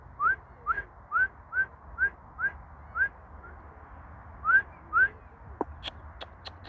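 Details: A pin-tailed whydah, an introduced species there, eating worms on grass on 18 April 2021, gives short upslurred whistled notes, about two a second, a run of eight then two more, followed by a few sharp clicks.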